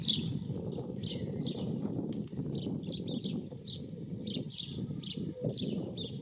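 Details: Singing, courting common starling recorded on a Panasonic Lumix camera: thin high whistles and chattery notes come in short phrases above strong low rumbling background noise.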